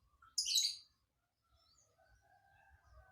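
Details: Lovebird with an unusual song: one loud, scratchy high chirp, followed by faint thin whistles and low background hum.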